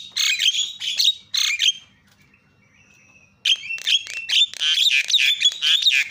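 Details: Harsh starling chatter used to stir quiet starlings: two loud raspy bursts, over a second of near silence with a faint whistle, then a busy, unbroken rush of scratchy notes.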